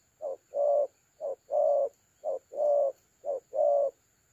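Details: Decoy spotted dove for trapping, 30 October 2022, giving 'thổ calam' style coos: four paired low notes, a brief lead-in followed by a fuller hollow coo, evenly spaced roughly every second over a thin constant electronic tone.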